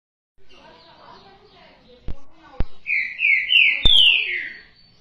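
A green-winged saltator gives a loud phrase of rich, slurred whistles rising and falling over about two seconds, with a few sharp clicks and faint background chatter.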